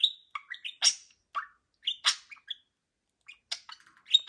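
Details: Pet budgie's morning song: rapid, scratchy chirps and squeaky whistles in short bursts, with a brief pause near the middle before the chatter resumes.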